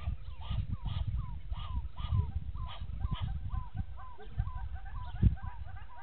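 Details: Egyptian goose pair at Gowrie dam, Djuma Game Reserve, South Africa, before dawn: a fast run of short squeaky rising-falling notes with hoarse honks mixed in, over a low rumble and occasional knocks.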